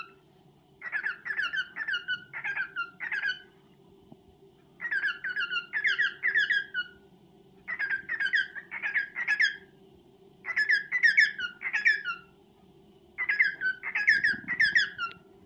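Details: Indoor male cockatiel courting a female: five evenly spaced bursts of rapid chirpy warbling, roughly one every three seconds, each burst about a second and a half long, with steady low hum beneath.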